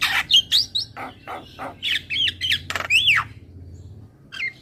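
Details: Asian pied starling producing loud harsh squawks mixed with whistled slurs, including a bright rising and falling whistle near the end before a short final note.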